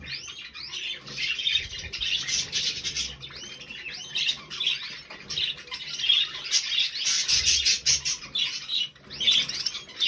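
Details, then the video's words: Twittering warble from three budgerigars, recorded 20 November 2020: chirps bending up and down, scratchy squawks and short pauses, the phrases restarting every second or two. "Drei hübsche Wellis"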